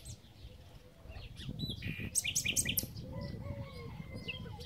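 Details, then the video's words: Common nightingale song on a spring day in Titel, Serbia, recorded 8 April 2016: scattered sharp high chips and a quick burst of notes, followed by softer descending whistled phrases against low background rumble. "Ptica - slavuj / Bird - nightingale"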